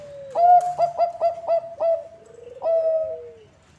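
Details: Bangkok-type zebra dove song used as a lure for other zebra doves: a clipped opening coo, then a quick run of five or six short, evenly spaced cooing notes, ending in a longer, gently falling coo.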